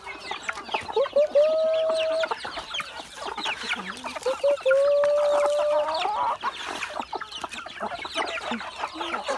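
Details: Chickens being fed rice while other birds come to compete for the food: busy clucking and chatter throughout, with two long, drawn-out tonal cries over a noisy, crowded background.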